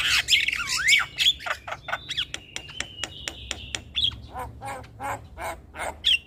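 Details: Lure song for stressed black-winged mynas: a loud swooping whistle, then rapid dry clicks over a steady drawn-out whistle, followed by spaced harsh squawking notes.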